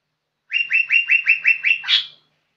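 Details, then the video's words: Young green leafbird in active song: seven short, sharply rising whistled notes in steady succession, ending with a louder, buzzy, rasping note. "Cucak ijo muda super gacor"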